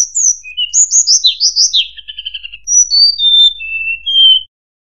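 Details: Lure recording of a mangrove whistler: quick high slurred whistles and buzzy notes, a fast run of short descending pulses, then separate clear whistled notes falling in pitch, ending in silence.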